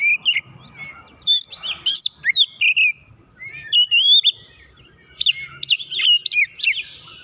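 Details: White-rumped shama song used to provoke a rival: clear whistled notes alternating with dense bursts of sharp chips and rising and falling slurs, delivered in three phrases separated by short pauses, faint low background hum.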